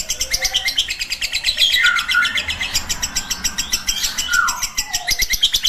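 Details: Lovebird in ngekek chatter for a tutor recording: rapid shrill pulses running on, broken by short downward whistled slurs from other birds nearby.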